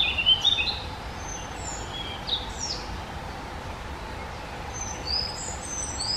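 Very high, thin squeaky notes from a firecrest, scattered in short bursts at the top of the hearing range, over a steady low background hiss.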